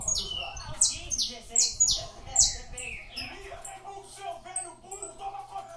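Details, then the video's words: A captive-bred saffron finch sings a bright phrase of high, sharp downslurred notes repeated quickly, followed by softer chirps, over a faint low hum. "canário da terra cantando"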